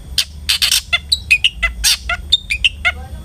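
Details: Long-tailed shrike singing to lure other shrikes into song: a rapid chatter of scratchy notes mixed with brief clear whistles and chirps.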